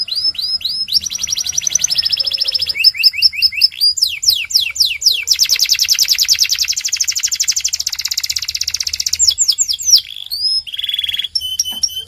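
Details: Belgian canary singing a varied, nonstop song that moves through slurred whistles, buzzy trills, runs of quick descending sweeps and a long dense rattling roll, then ends in clipped notes.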